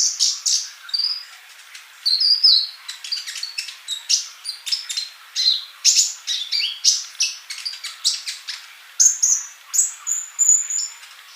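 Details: Male Van Hasselt's sunbird singing actively, recorded as a tutor song for young birds that do not sing yet: rapid high, thin chirps and short sweeping twitters in dense bursts, with brief whistled notes near the end.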